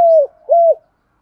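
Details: Spotted dove coo for stimulating captive doves to call: a level mellow hoot followed after a brief pause by a second arched coo.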